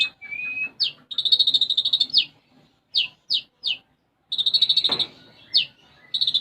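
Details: Olive-backed sunbird (konin) singing energetically in the gacor style, its song filled with sparrow-like imitations (isian gereja). Short rising whistle, then sharp downslurred notes and rapid buzzy trills, with a loud smeared noise near the end.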